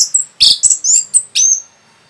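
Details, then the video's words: Orange-headed thrush, rapid provoking song: a quick string of piercing high notes, buzzy chips and a final rising whistle, all within two seconds. "SUARA RAPET ANIS MERAH BIKIN EMOSI BURUNG"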